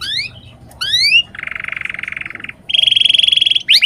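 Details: Canary song for training lazy birds to sing: rising whistled sweeps, a low buzzy rattling trill, then a bright high rolling trill and a final quick sweep.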